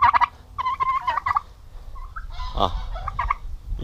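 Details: Aggressive male domestic turkeys on a turkey farm in Paraná, Brazil, gobbling: a quick rolled burst at the start, then a longer rattling gobble, followed by quieter mixed calls and a final short gobble.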